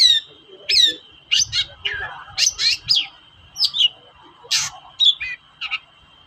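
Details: Long-tailed shrike (cendet) lure sound meant to provoke silent shrikes into singing: bursts of sharp chattering notes and slurred whistles separated by short pauses, over a constant high-pitched hum.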